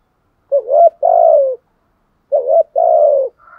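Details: Spotted dove kept as a decoy to draw in wild doves, giving two deep two-part coos under two seconds apart, each a wavering rise then a sustained falling note, with a faint higher tone at the end.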